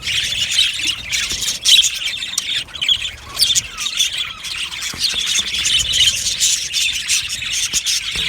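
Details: Budgerigars in an aviary colony squawking and chirping together, a dense high twitter punctuated by several louder squawk bursts.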